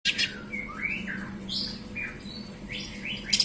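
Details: Greater green leafbird (cucak ijo) singing variations, heard alongside a little spiderhunter: sharp opening chirps, then a series of varied whistled slurs rising and falling, ending in high chirps, over a steady low electrical hum.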